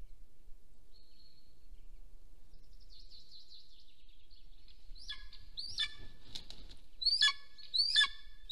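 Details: Golden eagles at a nest filmed by a nest camera in Soomaa National Park, southwestern Estonia, on the morning of 1 April 2024 as the female leaves and the male returns. Faint thin whistles are followed by three loud, sharp descending yelps near the end.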